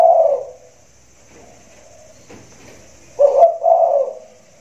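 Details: Spotted dove in a hanging cage, rainy season, cooing loudly: a fading coo at the start, a pause with a faint click, then two resonant low coos close together near the end.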